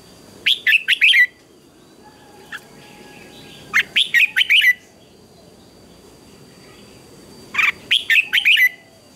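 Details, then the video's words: Red-whiskered bulbul singing in the morning, in a singing-contest style: short bursts of four or five loud, warbled whistled notes, each phrase under a second, repeated about every three seconds, with a faint steady high tone behind. "Chào Mào Hót Đấu Sáng"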